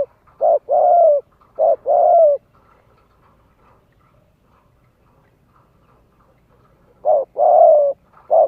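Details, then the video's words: Spotted dove call used to lure wild doves and train young birds: deep hollow coos at the start, then a long near-silent pause with faint ticking, and the coo phrase returns at the end. "Chim cu gáy kích bổi nhanh nổi, luyện giọng chim non, kích mồi cực sung."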